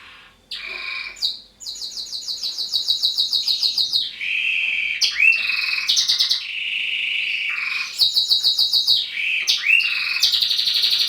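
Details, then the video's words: Male roller canary singing: long, unbroken rolling trills that shift between high and lower pitches, with fast rattling tours and brief bright whistled slides linking the phrases, loud and continuous throughout. "roller male canary singing | تغريد فحل كناري رولر"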